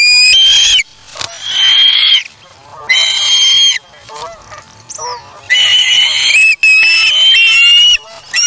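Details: At the Charlo osprey nest on August 3, 2017, a chick takes fish from its parent and self-feeds, giving shrill, sustained whistled calls in bursts of about a second, with quieter gaps between.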